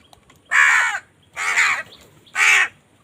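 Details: Three loud, hoarse crow caws, each about half a second long and evenly spaced, from crows fighting for food, with a quiet background.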